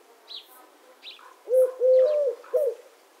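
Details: Collared dove cooing once, a brief note, a long drawn middle note and a short final one, after soft chirps from other small birds.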